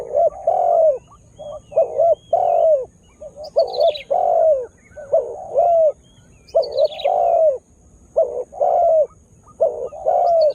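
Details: Spotted dove kept as a lure caller to provoke wild birds, newly in full voice: a long run of rhythmic, mellow, hollow coos in paired bursts, about a dozen phrases, with brief high chirps of other small birds twice.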